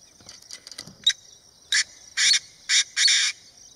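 Painted francolin giving a harsh, grating call: a few quick ticking notes, then four loud rasping screeches about half a second apart.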